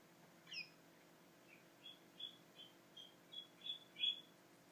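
Budgerigars give soft, high chirps, short and slightly squeaky, about two or three a second, growing a little louder toward the end over a faint room hum.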